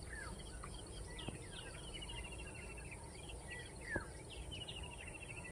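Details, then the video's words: Wild birds calling outdoors: quick series of chirpy, slightly rising notes and short trills, with a clicking run of notes near the end, over a steady hiss and constant insect drone. "Natural Sound | Birds sound"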